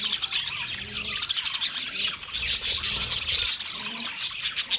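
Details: Budgerigars recorded 13 March 2024: rapid high twittering and chirping from several birds at once, pulsing chatter with short squawky notes, steady throughout.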